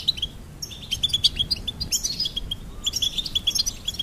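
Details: Goldfinch delivering quick, liquid high peeps and tinkling twitters in close succession, a short lull midway, then another rush of bright notes.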